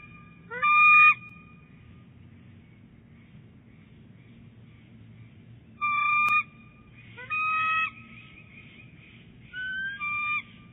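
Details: Female bald eagle at her nest at Big Bear Lake, January, calling early while rolling eggs; strong, clear, high piercing notes in short bursts of chattering whistles, four separate bursts a few seconds apart, with a low hum beneath.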